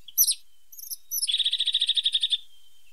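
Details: A pointed (sharp-nosed) tit gives a few thin, very high notes, then a quick, even trill of about fourteen lower notes lasting just over a second.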